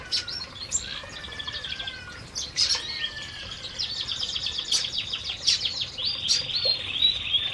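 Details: Canaries eating in an aviary: a mix of thin whistled notes, quick chirps and soft twittering trills overlapping continuously, growing busier and louder in the second half.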